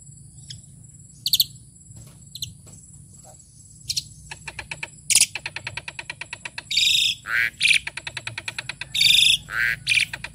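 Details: Tame Asian pied starling singing a full, varied song: scattered high chirps at first, then a run of rapid buzzy, harmonic rasping notes followed by loud, clear whistled phrases that rise and fall, with a steady high electronic tone underneath.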